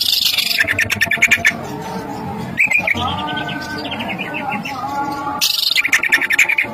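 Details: Greater green leafbird song for bird-training bait: a burst of rapid chattering, then a descending run of quick high whistles and another chattering burst, all over a continuous musical backing.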